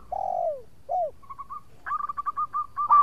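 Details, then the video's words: Local zebra dove used as a lure: two long, sliding, downward coos, then a series of quick, evenly spaced short coo notes. "Perkutut Lokal Gacor Suara Merduk Cocok Buat Pancingan - Bikin lawan langsung Nyaut!!!"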